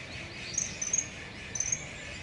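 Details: Female common kingfisher courting a male, Inokashira Park, 8 November 2019: short piercing high-pitched whistles, two close together then another after a brief pause, over faint steady background noise.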